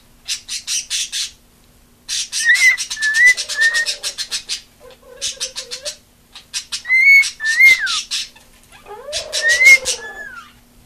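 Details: Female cockatiel that loves attention, singing at home: loud bursts of rapid chattering clicks broken by clear rising and falling whistles, with a few low warbled notes between phrases.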